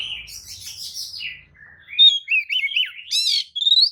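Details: Provocation song of a white-rumped shama, played to excite rival shamas: buzzy rattling notes, then wavering whistled slurs, a harsh metallic burst and an upward whistle, all bright and high-pitched.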